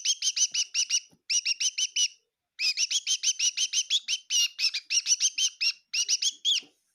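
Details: Bird chirping inside a kitchen at Tseminyu, Kohima: rapid bursts of sharp, high chirps delivered in quick runs of about six to ten notes, separated by short silent pauses.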